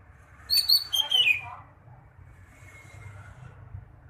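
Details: A single greater green leafbird phrase, a tumbling run of high notes that slides downward over about a second, heard against steady low background noise.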